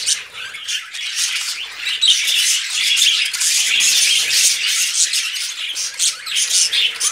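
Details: Pet budgerigars during mating, giving a steady stream of scratchy squawks and quick chirps, loud and unbroken, with overlapping voices throughout.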